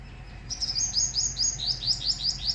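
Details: Small black sparrow, described as having a beautiful voice, giving a rapid series of sharp, high descending chips repeated roughly three times a second, with constant low hum behind.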